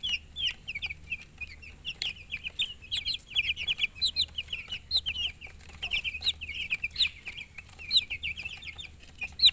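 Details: Baby chickens chirping nonstop, high piercing peeps in rapid, irregular runs from several chicks, with light clicks and rustles and a steady low hum underneath.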